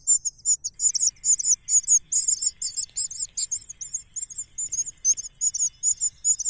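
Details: Greedy cuckoo pleading for extra food as it is fed, a steady rapid chatter of high, slightly buzzy chirps that continues without pause over quiet background.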